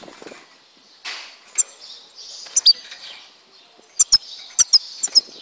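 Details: European goldfinch recorded in Tizi Ouzou, Algeria, producing high buzzy warbling phrases with a rising swept note, then a sequence of sharp bright paired clicks.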